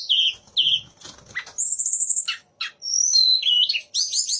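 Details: Sunda laughingthrush singing with three other birds' styles mixed in: magpie-robin, shama and orange-headed thrush. Loud varied whistled phrases, downslurred notes, sharp high chips and a fast rising trill at the end, with a brief low fluttering near the first second.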